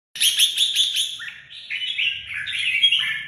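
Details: Red-whiskered bulbul, a kept songbird from Vietnam, singing: a quick run of bright, chattering notes, then a string of liquid, slurred whistled phrases that dip and rise, with a faint low hum behind.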